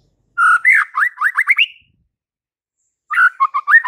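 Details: White-rumped shama singing tirelessly to provoke fighter males: a steady whistle opens a phrase of accelerating rising sweeps that ends on a fading note, followed after a long pause by another phrase starting with buzzy, chopped notes.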